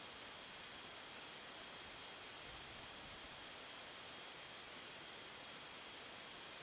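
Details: Only constant broadband static hiss with faint steady tonal hum lines, and no animal voice anywhere.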